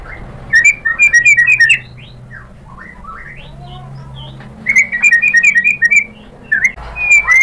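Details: White-rumped shama song used as a lure to provoke other shamas into answering: bursts of loud, clear whistled notes repeated quickly in rising and falling phrases, separated by short quiet gaps.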